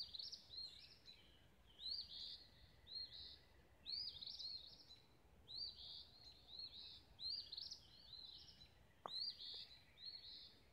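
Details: Sunrise birdsong on a rural lane in Olivehill, Tennessee: a steady run of high, twittering chirped phrases repeated about once a second, with one sharp click near the end and low background hum.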